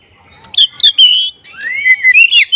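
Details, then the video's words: Black-breasted magpie-robin (kacer dada hitam) song meant to provoke emotion and tail display. Short sharp whistles, a sustained clear note, then a long rising swoop followed by quick twittering whistles. "Suara khas pancingan agar emosi buka ekor burung kacer dada hitam gacor"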